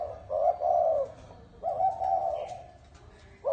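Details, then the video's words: Spotted dove of the 'chuông đồng' cooing style, used to stir up males and females: two low, hollow drawn-out coos about a second apart each, with a faint start of a third. "Tiếng chim cu gáy chuông đồng gáy gù gọi bổi kích bổi kích trống mái lên nhanh"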